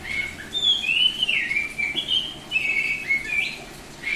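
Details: Semi-tame Bali-type oriental magpie-robin in full 'ngeplong' song, singing actively: a near-continuous chain of loud, pure whistled notes, some slurring downward, others level, with brief breaks between phrases.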